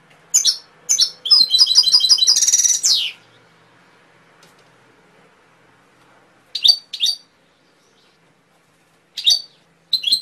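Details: Canary (kenari) singing: two sharp chirps lead into a rapid, buzzy trilled phrase lasting about two seconds, followed by silence and then scattered single high chirps and short bursts.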